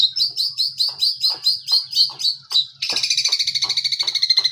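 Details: Young long-tailed shrike learning to imitate other birds, copying cililin and tengkek buto: repeated sharp chevron-shaped whistles about every quarter second, then a rapid buzzy trill of fast notes, with a low steady hum beneath.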